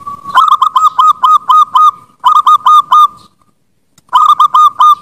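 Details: Zebra dove, perkutut, in a master recording for training birds: loud, clipped cooing notes fired in quick runs of about seven, then four, then five, with short silent gaps between runs.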